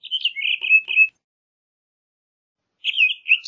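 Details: Townsend's solitaire giving a second-long run of quick warbled notes, then a pause of nearly two seconds before another fluty phrase begins.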